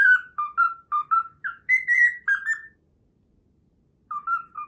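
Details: Pet cockatiel whistles part of the Pythagora Switch opening theme, a learned melody: a run of pure notes rising to longer, higher whistles, then a pause of over a second before the phrase resumes.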